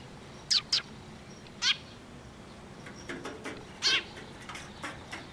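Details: Sparrows at a Tenmangu shrine coming closer to get food, 9 October 2023: brief piercing chirps, a close pair then single ones spaced a second or more apart, against constant low noise.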